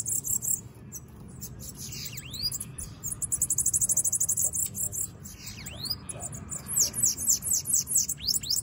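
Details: Sibite (bananaquit) free outside its cage, giving very high sibilant buzzy trills, then swooping V-shaped notes and a closing run of rapid descending slurred notes, against steady low background noise.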